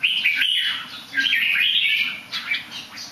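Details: A bird that sings well but also somersaults a little. Clear, warbling whistled phrases rise and fall in a continuous flowing run, with short breaks between phrases, over a steady faint background hiss.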